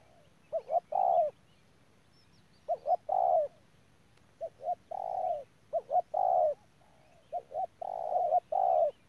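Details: Spotted dove decoy bird recorded at Đức Cơ, repeating its phrase: two or three quick soft notes leading into a longer, fuller coo, the pattern heard about four times over a faint low background hum.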